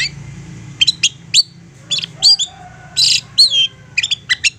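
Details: Insistent long-tailed shrike singing as a lure to make other shrikes respond: scattered sharp chips and short buzzy, rasping bursts in uneven clusters, with a faint thin tone and low background hum.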